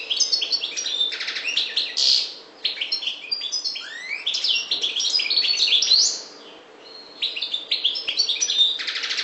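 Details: Extended twittering song from a Maghreb parva goldfinch, with bright chirps, buzzy rattles and sweeping slurred notes running in bursts separated by two short pauses.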